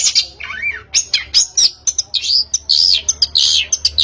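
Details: Long-tailed shrike as a singing lure: dense, harsh scratchy notes mixed with a swooping whistle and loud buzzy rasps, delivered in quick overlapping bursts.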